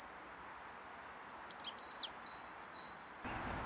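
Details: Goldcrest (Regulus r. regulus) in Brussels, Belgium, March 2012: a very high, thin run of rapid, see-sawing notes ending in a brief lower flourish, over a soft background hiss.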